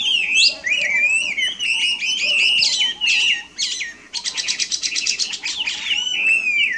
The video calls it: HWAMEI / WAMBI GACOR DI ALAM LIAR